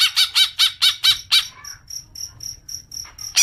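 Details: Greater green leafbird lure call to start long chattering: a string of loud harsh squawking notes about five per second, then faint regular ticks and a final burst.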